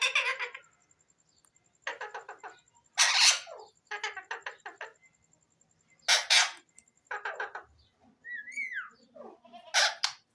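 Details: Pet Alexandrine parakeet (pahari tota), a talking bird, indoors: repeated harsh grating squawk bursts with stuttering chatter between them, plus one whistle sliding downward near the end.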